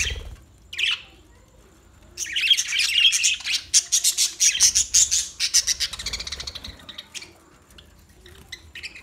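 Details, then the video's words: Newly acquired pet budgerigars calling, a burst of bright chattering chirps and squawks repeated rapidly, dense from two to seven seconds, then fading to scattered tweets. "New Budgie Birds Sounds"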